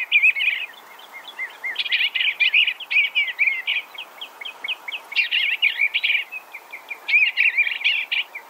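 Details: Eastern Bluebird song: quick runs of warbling, chirpy notes delivered in three or four bursts separated by short gaps, each burst a busy jumble of rising and falling notes.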